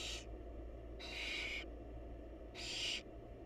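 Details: Wild barn owls in a monitored nest box as the mother feeds her chicks: three harsh, breathy hissing screeches, each about half a second, spaced roughly 1.5 seconds apart over a steady low hum.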